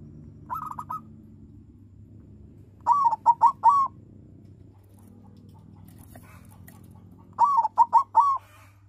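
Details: Captive-bred silver colour-morph zebra dove, a local bird, with a big voice, used to provoke rival doves into singing; three bursts of mellow cooing notes, the last two phrases with four to five rapid rounded coos, over a low hum.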